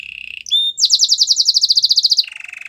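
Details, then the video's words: Canary singing a training song, a low buzzing roll, brief high whistles, then a loud, very rapid high trill that drops back into a lower rolling trill. "Most popular canary training song"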